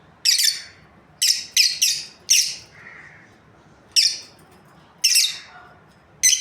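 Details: Lovebirds, a breeding pair, chirping busily: a series of about eight shrill, scratchy high calls, some in quick pairs and triplets, spread over six seconds with short quiet gaps.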